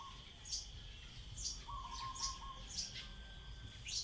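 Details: Common tailorbird (Orthotomus sutorius) giving sharp, high, piercing chip notes, about one a second, over a steady insect-like drone and a brief lower whistle.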